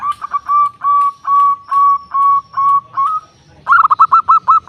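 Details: Local zebra dove singing loudly as a lure to provoke rival birds. Even, drawn-out whistled coos repeat about twice a second, then break into a fast stuttering burst.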